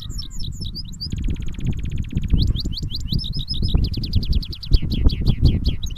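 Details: Goldfinch mule in a cage-to-cage singing session: quick chirpy twitters, then a long buzzy rattling trill lasting about a second, followed by bursts of rising and falling sweeping notes against steady low-pitched noise.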